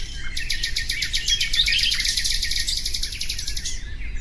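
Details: Nightingale singing for relaxation: a fast, rapidly repeated trill of sharp high notes lasting over three seconds, followed by brief quieter chirps, with constant low background noise.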